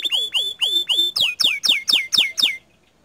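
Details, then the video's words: Canary in loud gacor song, repeating a whistled swooping note about four times a second. The first notes drop and hook, the later ones fall steeply, and the phrase stops abruptly. "Kenari Mana Yang Tinggal Diam Setelah Mendengar Kicau Kenari Gacor Dor Ini !"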